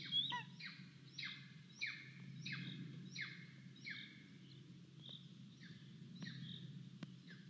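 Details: Golden eagle chick at an Estonian nest on 10 July 2022, calling for food while the parents bring prey. A run of loud, falling, harsh squeals about every half second, with low background rumble and a few clicks.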